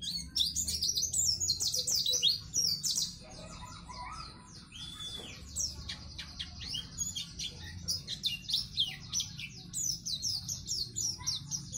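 A white-eye sings a fast, high, twittering stream of thin chirps and trills, with busy overlapping phrases and a low background hum.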